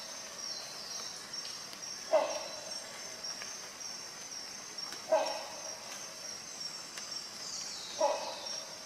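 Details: Rhinoceros hornbill giving short, honking calls with a nasal ring, three evenly spaced about every three seconds, over a steady high insect drone.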